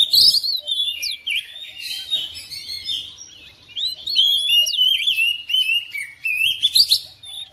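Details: A domestic oriental magpie-robin answers another bird and joins in singing: lively, irregular sequences of whistles, squeaks and chattered notes, loud bursts separated by brief softer gaps.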